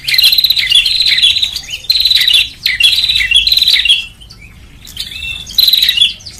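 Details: Prenjak lure recording for attracting birds, the bar-winged prinia: four long, dense buzzy trills run almost back to back, followed by a quiet stretch of about a second and a half, then one more loud burst.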